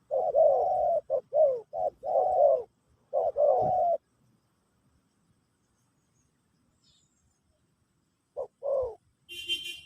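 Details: Spotted dove, Pesom/Kacuk song style, teaching a new bird: several rolling low coos over four seconds, then near silence, two short coos near the end and a brief higher rattle.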